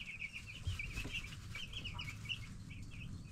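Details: Brief stretch of bright, rapid cheeping from 10-day-old baby broiler chickens over a low droning hum and light scuffling.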